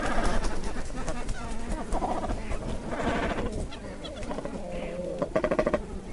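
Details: Great cormorants give deep, guttural croaks and grunts in bursts over a steady low murmur, with several birds seeming to call at once.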